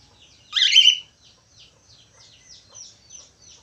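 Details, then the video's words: Budgerigar calling actively: one loud, harsh, rasping squawk lasting about half a second, followed by a steady run of soft, high twittering chirps in the background. "SUARA SIULAN BURUNG PARKIT AUSTRALI"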